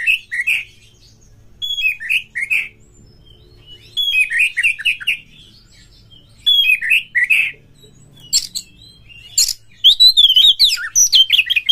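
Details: Oriental magpie-robin (kacer) song used to stimulate caged magpie-robins to sing and fight: bursts of loud, varied whistled and chattering phrases around high pitch, separated by short pauses, with a sweeping whistled run near the end.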